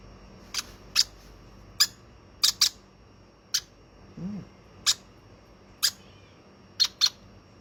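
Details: Hand-fed baby conure indoors in a small room giving short, sharp, harsh squawks, about ten in seven seconds, singly or in quick pairs at uneven intervals, with a brief soft low sound midway and a quiet room background.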